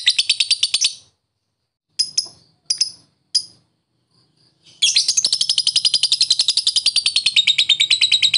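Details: Lovebird in the ngetik ngekek fighter style, a lure for silent lovebirds: a quick shrill chatter, then several separate sharp ticks with pauses, and finally a long, fast, continuous high trill.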